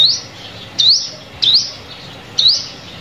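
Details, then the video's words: Sunbird lure call for trapping: four thin chirps that slide upward, the first softer, the rest spaced nearly a second apart over quiet hiss. "Tiếng Chim Hút Mật Mồi Kích Bổi"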